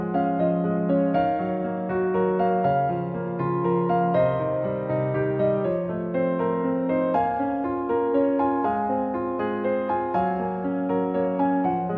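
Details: Gentle electric piano background music plays steadily throughout, with no animal sounds.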